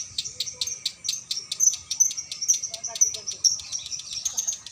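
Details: Female lovebird in a bird-shop cage performing konslet, a long continuous song: quick high, dry, clicking chirps run on without pause, with a few brighter squeaks and faint low background sound.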